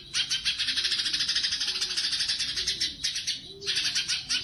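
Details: Sumatran leafbird (cucak cungkok) singing vigorously in the tembakan style, used as master training song for competition birds: a dense, high-pitched buzzy chatter of rapid ticks running almost continuously, with a brief break near the end.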